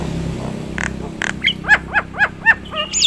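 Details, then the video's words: Nias hill myna, a bird in gacor singing form, gives two short bursts and then a run of five evenly spaced arched, harmonic-rich notes, ending in a high sliding whistle, against a low background hum. "burung jalak nias gacoran,suara istimewa"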